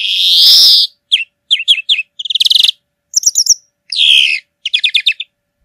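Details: Singing European greenfinch in nature, delivering a varied sequence: a drawn-out buzzy wheeze, quick paired twitters, short dry trills, another wheezy note and a final burst of rapid chirps.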